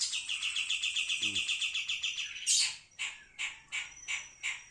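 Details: Pied triller song: a rapid, buzzy high trill of quick repeated notes, a loud sharp burst, then four separate clear notes spaced about half a second apart.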